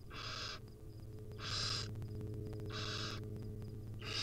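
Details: Barn owl nestlings, wild, beg for food while their mother feeds them tiny morsels; three loud, breathy hissing screeches, each about half a second, at regular intervals, with a droning low hum and faint ticking in the background.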